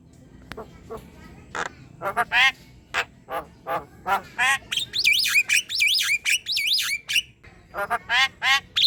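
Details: Energetic chattering song of a Javan myna, played to train other birds and draw out their calls: repeated harsh squawking notes about three per second, broken by a run of high wavering warbled whistles midway.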